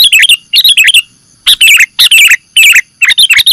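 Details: Sooty-headed bulbul (Pycnonotus aurigaster) lure recording: loud, bright chirpy phrases of three to five quick liquid notes, repeated about every half second with short pauses between bursts.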